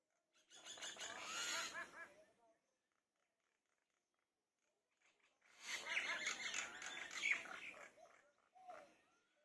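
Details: Common myna chatter, recorded in the morning in a field in West Bengal, comes in two bursts of about two to three seconds each with a pause between, mixing harsh gurgling notes and short squeaky whistles.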